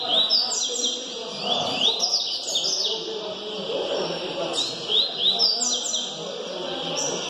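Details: Bahia double-collared seedeater singing in a singing-circle test, bright whistled phrases of quick rising and falling slurs repeated in bursts, over a steady background hiss with faint murmuring voices.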